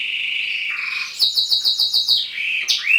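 A male roller canary sings a continuous, soft rolling song, shifting from low liquid trills to a rapid pulsed roll and back, with no pauses.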